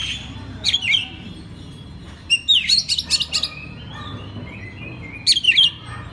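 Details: Master recording of an Oriental magpie-robin for training other birds: clear whistles and rapid chattering notes in three separated bursts, rising and falling, against constant low-pitched background noise.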